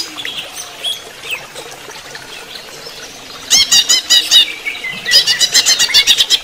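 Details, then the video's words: In running-water therapy, a greater green leafbird gives soft scattered whistles, then two loud runs of rapid, ringing notes with a rolling, repeated pattern. "terapi air mengalir untuk cucak ijo"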